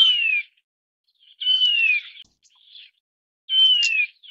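Taiwan barwing giving three clear, high whistles that slide downward, each about half a second long and spaced roughly two seconds apart, with softer chattering notes between.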